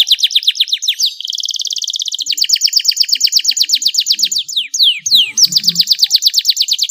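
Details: Canary song used to stimulate other canaries into singing, rapid repeated high trills alternating with a smoother buzzy run, then sharp downslurred whistles and more quick rolling phrases.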